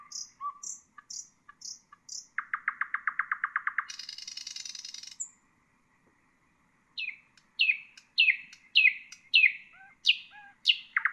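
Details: Song of a common nightingale meant for teaching caged bulbuls and songbirds: high whistled pips, a long rapid rattle, a harsh buzzy burst, a pause, then repeated loud falling chirps and a low note.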